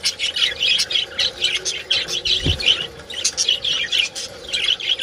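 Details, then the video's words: Steady budgerigar colony chatter tied to mating, an unbroken run of high chirps, squeaks and warbling twitters, with one low knock in the middle. "BUDGIES Mating Call Sounds in Colony"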